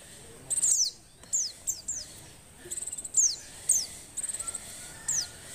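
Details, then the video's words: Female Oriental white-eye in breeding condition, used to spur reluctant males to sing, repeats quick ticking trills and high, thin, falling whistles, roughly one burst every half second. "suara pleci betina birahi"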